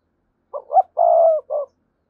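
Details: Lure call of a spotted dove for attracting wild doves: a single phrase with two quick opening notes, a sustained steady coo and a short closing note, with nothing else audible.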